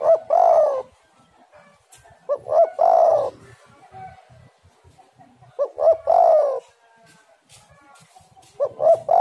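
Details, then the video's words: Spotted dove, the bird locally called tekukur, cooing steadily for a lure track: three loud phrases about three seconds apart, each a short stuttering pair of notes followed by a drawn-out, husky coo, with quiet gaps between. "tekukur super gacor suara pancingan burung galau"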